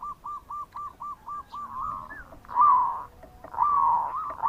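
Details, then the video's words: Zebra dove, local type, singing bekur to lure others; seven short evenly spaced staccato coos open, followed by two longer, louder rolling warbled phrases. "Perkutut Lokal Gacor Suara Bekur Untuk Pancingan"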